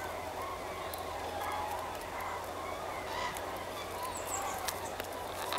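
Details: Common cranes at Linum on 10 October 2014: a dense chorus of many calling birds, overlapping rolling, trumpeting calls blending into a continuous honking din over a low steady background rumble.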